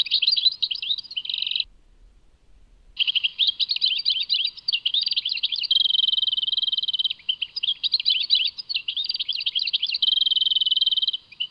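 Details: European goldfinch from Tadmait, Algeria, in full song: a short burst, a pause of over a second, then a long run of jangling twitters broken by two sustained even trills, high-pitched and clear.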